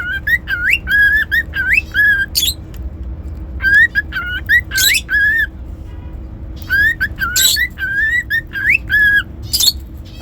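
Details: Whistling cockatiel giving strings of clear, slightly wavering notes, some rising sharply, broken by harsh high chirps, the phrases repeating in clusters with quiet gaps.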